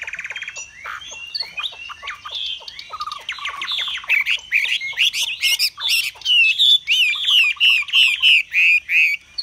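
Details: Caged Chinese hwamei singing while displaying, in a long-lasting display with high singing: loud, varied whistled phrases that settle into clear slurred notes repeated about three times a second, with metallic clicks at the start.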